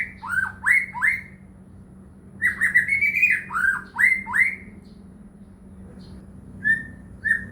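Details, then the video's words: White-rumped shama (murai batu) lure song for caged birds that sing little: repeated down-slurred whistles in quick series, a pause, then brief level whistled notes toward the end. "murai batu gacor AMPUH buat PANCINGAN murai batu agar bunyi"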